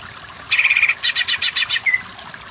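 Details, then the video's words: Greater green leafbird training song in masteran style for other birds to learn 'kejer': a short buzzy trill followed by rapid pulsed ringing notes and a final clear upslurred whistle. "Masteran Burung Cucak Ijo yang Kurang Power Jadi Kejer Kejer"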